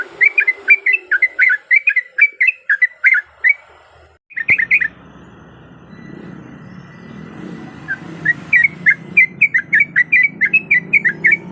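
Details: Female sooty-headed bulbul in breeding condition calling to a male, used as a lure: rapid series of short chattering notes around a steady pitch, a brief pause with faint background hum, then the chatter resumes.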